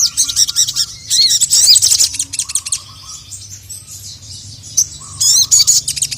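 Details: Sogon, the ruby-cheeked sunbird, a female calling and a male answering in anger: a loud burst of high chattering chirps, a quiet gap of about three seconds, then another energetic chirping burst.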